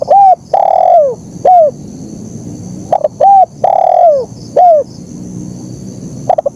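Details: Spotted dove repeating its 'kuk 1' phrase twice: a short coo, a long downward-sliding coo and a falling end note, with a pause of about two seconds between phrases and a faint high background hum.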